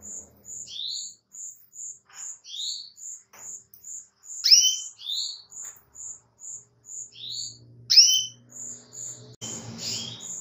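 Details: Female Atlantic canary luring a male with calls: rapid short high chirps repeating evenly, broken by several loud downward-sweeping whistles; faint low hum and a burst of background noise near the end.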